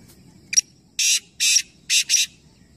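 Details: Black francolin in a three-bird calling contest in Nawabshah, Pakistan, giving one grating phrase: a brief tick followed by four loud scratchy notes, evenly spaced, the final pair nearly joined.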